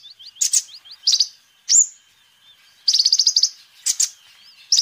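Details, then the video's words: Sunbird song used as a lure and master tutor: soft rising whistles lead into sharp high notes, a single loud upslurred whistle, then a rapid rattling trill of bright chips. "Kolibri Ninja Gacor"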